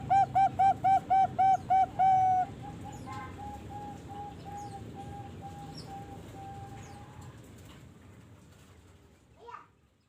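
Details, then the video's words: Young Bangkok-type zebra dove, 3.5 months old, bred at a bird farm; about ten quick, evenly spaced soft coos in two seconds, followed by a long faint steady tone and background hiss. "SUARA PIYIK PERKUTUT BAKGKOK USIA 3,5 BULAN"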